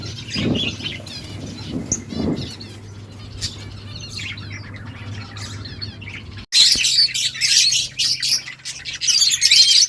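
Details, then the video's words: Budgies chirping and chattering to each other, scattered high chirps and squawky notes at first, then a dense burst of overlapping warbled chatter in the second half, over a steady low hum. "Beautiful birds chirping sounds budgies talking to each other"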